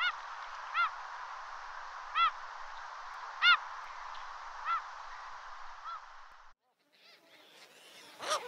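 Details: Short mewing gull calls, each a clear rising-then-falling note, repeated about every one and a half seconds over a steady rushing background noise, ending after a pause with a few scratchy sounds.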